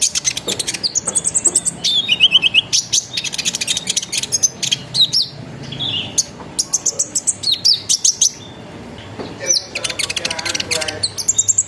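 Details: Sunbird song used as a lure to make other sunbirds sing along: dense, fast, high chattering and twittering with rolled trills, quick repeated chips and brief whistled slurs, nearly continuous throughout.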